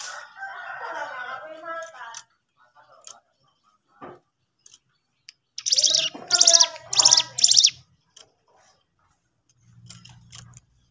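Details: Sooty-headed bulbul in full song, used to provoke and lure other birds: a few harmonic chirping notes, a quiet pause with faint clicks, then a loud run of four harsh, rich bursts, and a low hum near the end.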